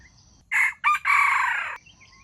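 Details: Junglefowl crowing, played to draw wild chickens into traps: two short hoarse notes, then a long, strained, buzzy final phrase lasting under a second. Faint bird chirps and insects are in the background.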